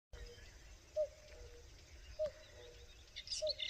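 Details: Common cuckoo (Cuculus canorus), call.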